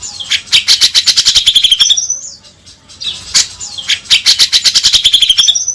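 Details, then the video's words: Grey-cheeked bulbul, used to prompt the bird into singing: two bursts of quick chattering chirps over rapid clicking, separated by a short quieter gap with a thin whistle. "Pancingan agar cucak jenggot gacor"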